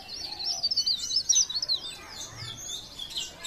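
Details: Leaf warbler from Pare Pare in full song: rapid high-pitched twittering phrases of thin, wavering notes, loudest in the first half and then fading to softer chatter.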